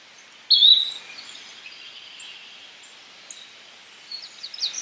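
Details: A lone quick rising call of a yellow-bellied flycatcher stands out against a hissy background, followed by faint, distant high chirps from other birds.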